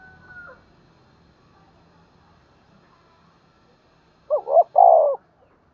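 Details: Decoy spotted dove calling in the morning to attract wild birds; after several seconds of faint low background noise, one low phrase of quick double notes and a longer rolled coo near the end.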